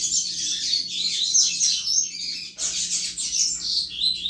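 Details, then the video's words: Double-collared seedeater in 'chuva' style song, played to stir up other males; a packed, high-pitched cascade of rapid twitters and warbled notes, pausing only for a split second midway before resuming just as densely. "Canto Chuva de Coleiro Top Para Esquentar Qualquer Coleiro!!!"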